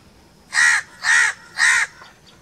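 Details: Crow calling outdoors: three harsh, raspy caws of equal length, evenly spaced about half a second apart, loud and clear over a quiet background.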